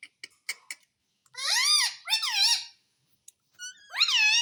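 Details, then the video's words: Parrot kept as a pet, talking and saying mummy and papa in a small room; a few faint clicks, then two drawn-out squeaky voiced words with wavering pitch and one more after a pause. "मम्मी पापा बोलने वाला तोता _ Mummy ka Pyaara Mitthu _ Parrot Talking Video"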